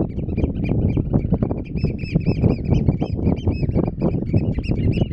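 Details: Several Eurasian oystercatchers on grassland and mudflats at Terschelling, the Netherlands, give loud, ringing piping calls, each note rising then falling, in quick uneven series; gusty wind roars underneath.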